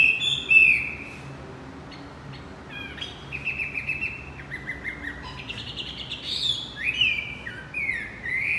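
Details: Javan white-eye singing, used to coax a male that stopped singing: scattered high thin whistles and short flat notes, then a busier burst of rising and falling slurs near the end.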